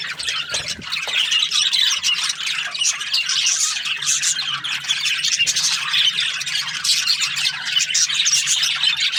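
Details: Morning chatter from a group of budgies, an unbroken wash of high chirps, chattering squawks and buzzy warbles, steady in loudness throughout, over a soft low hum.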